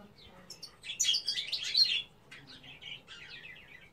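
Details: Female European goldfinch singing a short burst of high, tinkling twitters and scratchy chirps, loudest in the middle, then fading into softer, spaced notes.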